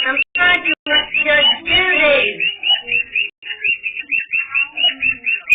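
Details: A cockatiel protests a television show with a fast run of bright, chirping calls over a person talking and television sound.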